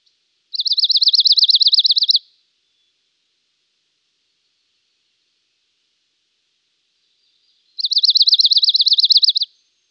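A dark-eyed junco gives two even, musical trills of rapid identical notes on one steady high pitch, each under two seconds, with quiet between.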